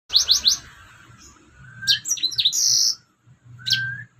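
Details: Red siskin song for training other birds: bright high chirps in a quick triple burst, then sweeping whistles and a rasping buzzy note, with pauses between phrases.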